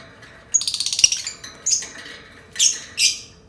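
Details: Lovebird sound meant to set other lovebirds singing: a quick buzzy rattle of high notes, followed by separate harsh, shrill squawks spaced roughly half a second apart.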